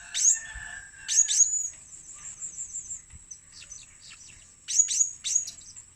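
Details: Blue-crowned hanging parrot luring call: a couple of loud, very high squeaky notes at the start, then softer thin chirps, ending with a quick trio of piercing notes.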